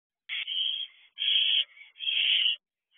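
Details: Barn owl owlets on a perch by an owl box at night, June 2023: three long, harsh hissing screeches of roughly half a second each, high and noisy, separated by brief pauses, with no other sounds.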